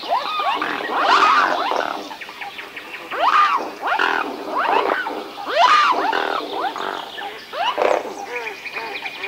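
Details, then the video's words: A group of swans giving overlapping honking, trumpet-like calls, each arched note swooping up and down, coming in surges every second or two with brief quieter gaps between. "Swan & swan sounds & what sounds does a swan make"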